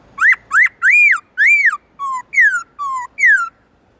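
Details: Black-throated laughingthrush singing its long, loud, clear wild-type forest song: a run of eight whistles, some arching up and down, others sliding downward, delivered rapidly over about three seconds.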